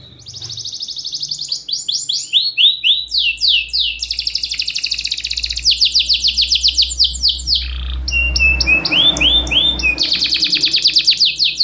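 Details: Loud, tightly spaced song of a champion canary, kept as a lure for canaries that rarely sing: varied fast trills and down-slurred rolls for over eleven seconds, with a steady low electrical hum and a brief noisy patch midway.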